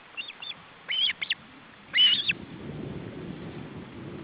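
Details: Male osprey with chicks at an Estonian nest, July 2012, feeding attempt: scattered thin chirps building to two louder clusters of piercing whistled notes, followed by low rumbling noise.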